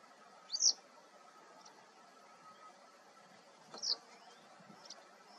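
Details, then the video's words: Male western yellow wagtail (ssp. cinerocapilla), Sant'Agata Bolognese (BO), Italy, 13 April 2022, territorial: two high, thin, slurred calls about three seconds apart with a few soft ticks between, over faint background hiss. "Cutrettola territoriale"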